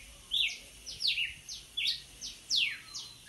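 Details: Red-cowled cardinal singing hard: a quick series of bright, steeply descending whistled notes, a syllable roughly every half second, some slurred and buzzy, in a fairly quiet setting.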